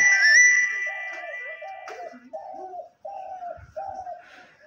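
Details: Spotted dove, a captive decoy (hunting) bird whose owner calls its voice deep and thick, calls in a run of low, soft coos, each under a second, about one every 0.7 seconds, after a loud, clear human whistle at the start.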